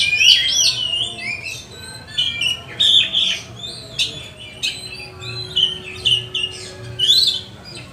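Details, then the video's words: Oriental magpie-robin in full song, played to train and rile up other magpie-robins: bursts of sharp whistles, chirps and scratchy trills in quick succession, separated by short pauses, over a faint steady hum. "Pancingan kacer gacor nembak untuk melatih kacer"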